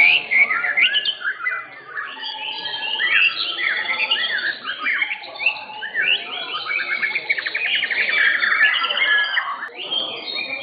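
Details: Blorok white-rumped shamas in cages at an Indonesian contest arena; a dense chorus of overlapping whistled phrases, quick trills and chattering runs, energetic and unbroken for ten seconds.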